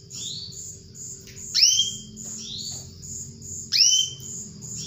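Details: A female canary calls to a male, offered to coax silent canaries into song. Two loud, bright, upward-slurred whistles about two seconds apart, with softer rising notes between them, over a continuous high twittering and a low background hum.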